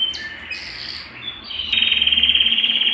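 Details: Belgian canary singing, used to stir a cold canary into song: a few scattered high notes, then a steady buzzy trill of fast repeated pulses on one pitch.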